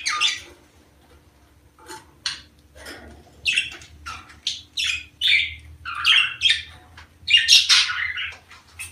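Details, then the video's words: Budgerigars in the mating season, calls meant to stir breeding and egg-laying in females: scattered sharp chirps and squawks, then a busier run of varied buzzy high notes and warbles about once a second, a faint low hum behind. "دع اناث البادجي تسمع هذه الاصوات كي تبيض بسرعة"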